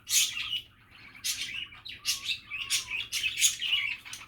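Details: Budgie chatter with harsh broadband chirps interleaved with a few soft, low whistled glides, delivered in short irregular bursts.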